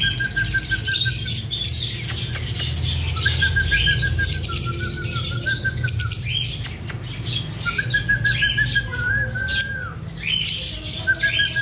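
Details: Breeding pair of lovebirds in captivity, singing and chirping: repeated short bright chirps and warbled phrases in a busy chattering mix, with a low steady hum underneath throughout.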